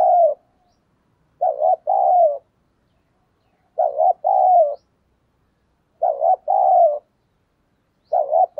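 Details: Spotted dove used as a decoy, cooing to lure wild doves into answering, in the style called giọng thổ. Each phrase is a short wavering coo and a longer falling coo, repeated about every two seconds against a silent background.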